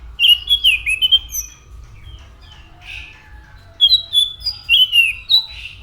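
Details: Anis macan thrush in full song: two bursts of bright, slurred whistled phrases with quick warbling notes, separated by a short quiet gap.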